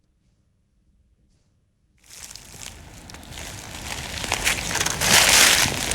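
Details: Two seconds of near silence give way to rising crushing, crinkling and rustling noise, loudest near the end, with no animal sounds.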